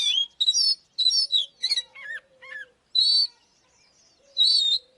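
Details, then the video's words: Oriental magpie-robin singing to provoke fighting, with bright whistled phrases and short falling notes, a faint low whistle running between them, brief pauses, then two more loud warbling bursts. "Chòe than mồi Kích BỔI ĐẤU || Choè than HÓT - ĐẤU"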